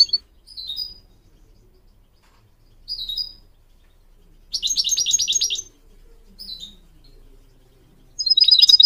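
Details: Goldfinch song used to teach goldfinch mules and canaries to sing: short, high twittering phrases separated by pauses, then a dense buzzy rattling burst near the middle and a sharp trill at the end.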